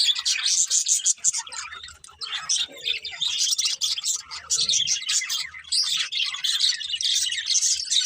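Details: Continuous budgerigar chirping: rapid high twitters and warbled chatter from a group of birds, with short gaps near two and five seconds and a soft lower sound in the middle.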